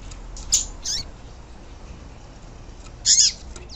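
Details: Female papa-capim, or yellow-bellied seedeater, giving a call to excite the male: three brief, very high harsh chirp bursts separated by about two seconds of quiet.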